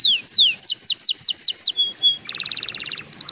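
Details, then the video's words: Young canaries are prompted to sing by this canary song: quick descending slurred notes, a short flat whistle, then a low rapid rattling trill and a high fast twitter. "PANCINGAN KENARI PAUD SUPAYA CEPAT BUNYI"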